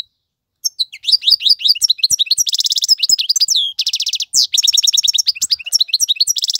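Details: Male European goldfinch singing to tutor young birds: after a brief silence, a continuous rapid twitter of sharp downslurred notes mixed with buzzy, rattling trills that runs unbroken to the end.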